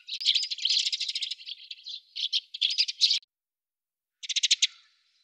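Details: Eurasian tree sparrows at a fat-ball feeder in Budapest on 20 December 2010, in winter, give dry, rattling chirps in quick bursts for about three seconds, then a short rapid series of harsh notes after a pause.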